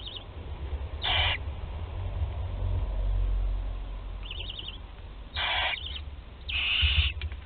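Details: Barn owl nest in Théding, 20 July 2020, 13-day-old chick swallowing prey whole; repeated harsh, screechy hissing bursts of about half a second, with one short trilled chitter between them and low rumbling noise.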